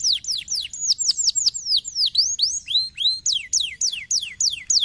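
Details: Canary song used to encourage a lazy canary to sing: fast sequences of high, downward-sliding whistles, then upward-curving slurs and a return to quick descending notes, crisp and continuous.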